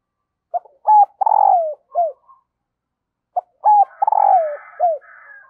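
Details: Two coo phrases from a female dove calling to stir a male, each a quick note, a level hoot, a long rough descending coo and a short falling close, with a pause of about two seconds between them.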